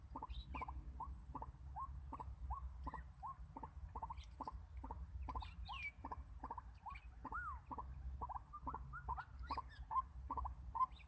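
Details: White-breasted Waterhen (Amaurornis phoenicurus) giving a steady series of short, hoarse notes, about two per second, with a few higher squeaky notes near the end over low rumbling noise, in 2019 lure-trapping.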